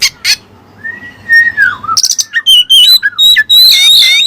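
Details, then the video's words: Kacer (oriental magpie-robin) with learned Cililin material: a long falling whistle after two sharp notes, then a dense burst of rapid, tumbling high warbles and trills. "Burung Kacer Isian Cililin"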